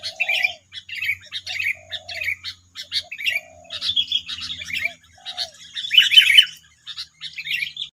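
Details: Nine wild sooty-headed bulbuls in West Lampung calling back at a decoy bird: a busy mix of quick chirps and twittering notes, with lower, soft whistled phrases repeating beneath and a louder burst near the end.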